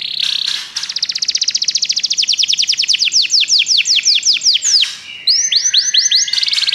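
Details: Canary song to encourage a pet canary to sing: a long accelerating trill of downswept notes, a short gap, then a few looping whistled syllables and a buzzy close.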